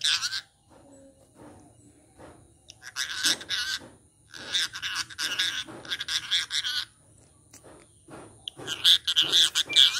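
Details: A talking rose-ringed parakeet speaks Sinhala in short, raspy, speech-like phrases about a second long, with brief pauses between them and a faint steady high hiss behind.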